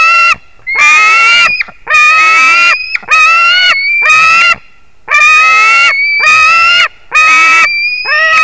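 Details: Loud, grating, harmonic screams from a white-tailed eagle, recorded 21 July 2019 at 22:10, come in bursts of roughly a second, around seven in all, with faint thin whistles linking some notes.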